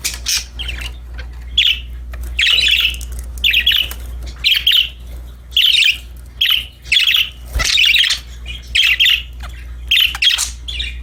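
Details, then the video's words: Happy budgerigars chirping while playing: bursts of squawky, warbling chirps repeated every second or so, over a steady low hum from an indoor room. "Happy Parakeets Chirping Sound #budgies Singing, Playing"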